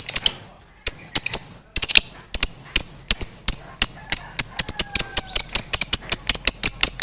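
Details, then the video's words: Lovebird long chatter, or 'ngekek panjang', meant to provoke other lovebirds: sharp metallic chips, at first spaced and then quickening into an almost continuous rattling series. "Suara Burung Lovebird Ngekek Panjang JAGO MEMANCING EMOSI, Lovebird Susah Bunyi LANGSUNG NYAUT"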